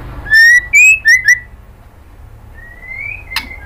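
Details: Female white-rumped shama calling the male with four loud, rising whistled notes in quick succession, a pause, then one long, soft, slowly rising whistle and two sharp clicks.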